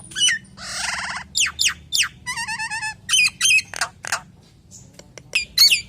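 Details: Common hill myna in full varied song aimed at luring other hill mynas: buzzy rasps, quick falling whistles, a rapid warbled trill, then scattered clicks and squeaky notes.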